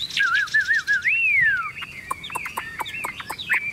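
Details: Caged tame Chinese hwamei, cage hand-carried and shaken, gives a wavering whistle that swoops up and glides down, then a string of short sharp notes and clicks.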